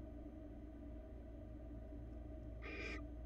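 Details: Barn owl on a Florida nest cam, male bringing rabbit to his mate: after near silence, one short rasping screech near the end, above a continuous low hum.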